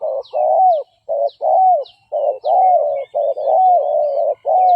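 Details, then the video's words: Spotted dove used as a decoy, its cooing intended to lure and provoke fighting males; loud, steady series of mellow coos with arching notes, almost one per second, with thin high chirps of other birds. "Chim Cu Gáy Mồi Gù Đấu bổi Cực phê/ Tiếng chim cu gáy đấu nghe thư giãn"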